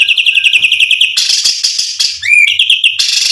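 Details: White-rumped shama song used to provoke and excite other birds: rapid high chips repeated about four per second, then loud buzzy bursts and a rising whistled slur.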